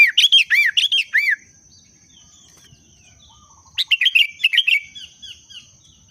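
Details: Sooty-headed bulbul in breeding condition, a booster sound: two lively bursts of quick, bubbly, arched whistled notes, separated by a quiet gap with faint soft notes, over a steady thin high background tone.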